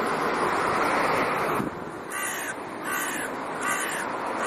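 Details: Crow family back in its territory in October, autumn: a burst of wind or rushing noise, then four fainter harsh caws in a regular series.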